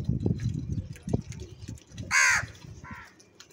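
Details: Crows fighting over cheese: a loud, rasping caw followed by a shorter, softer one, with soft thumping and scuffling beneath.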